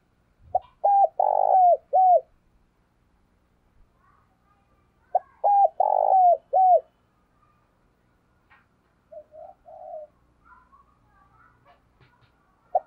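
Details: Spotted dove used as a lure bird, calling and cooing to attract wild doves: two loud bursts of low hooting coos, each a short note, a long throaty coo and a dropping note, about four seconds apart, with softer coos between.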